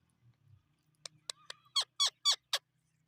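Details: Parrot call: a few soft clicks, then a rapid run of four loud, harsh, rasping screeches about a quarter second apart, in quiet surroundings.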